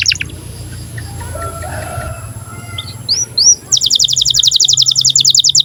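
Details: Canary in breeding condition, song used to train young canaries: after a quiet stretch with faint background hum, two rising whistled notes lead into a rapid, high, buzzy trill of evenly repeated notes.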